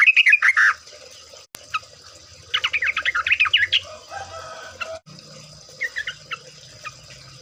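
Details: Sooty-headed bulbul (trucuk) singing busily, meant as a lure to make birds sing; a warbled opening phrase, then a rapid bubbly burst, followed by sparse chirps and faint low background rumble.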